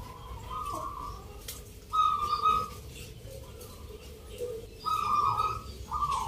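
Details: Local zebra dove at a Yogyakarta singing contest in the Nglagu Ngepat Mentaraman style, November: separate bright coo phrases, each about half a second, slightly rising, with quiet gaps between and faint crowd sounds.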